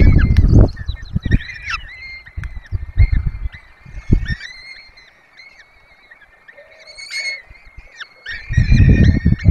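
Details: Four peregrine falcon chicks being fed at a webcam nest in the Barycz Valley, Poland: thin, repeated wailing calls run throughout, partly masked by loud low rumbling bursts at the start and end.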